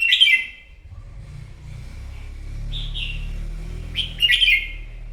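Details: Morning competitive singing by a wild-caught red-whiskered bulbul: a rich warbled burst, a pause, then a short clear phrase and a louder chattering flourish over a steady low rumbling background hum.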